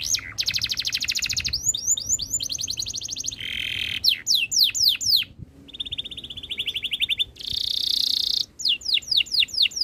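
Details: Domestic canary pouring out varied tours: a dense high trill, rapid falling slurs, a lower warbling roll and a fast buzzy rattle, each repeated many times before abruptly changing.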